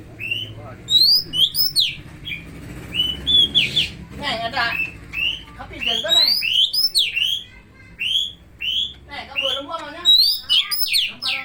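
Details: Greater green leafbird from Medan singing in the style of an oriental magpie-robin: a rich, varied run of high, sharp whistles and rising slurred notes in quick bursts, with a few faint rattling phrases and quiet low background murmur.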